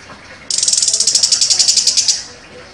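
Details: Chestnut-capped thrush, a contest champion, delivers a sharp 'nembak' burst: a fast, harsh, high rattling series of about sixteen pulses lasting roughly a second and a half, over a quiet background.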